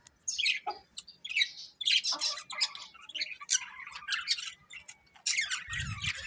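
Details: A breeding pair of colourful budgerigars giving separate sharp chirps and short squawky twitters, sparser and softer than a full warble, with a low muffled thump near the end.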